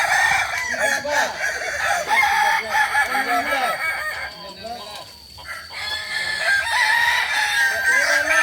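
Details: Several Kokok Balenggek cocks crowing together during training at Ampang Kualo, Solok. Dense overlapping multi-note crows with bouncing arched syllables fade briefly around 5 seconds, then swell again into long sustained crowing.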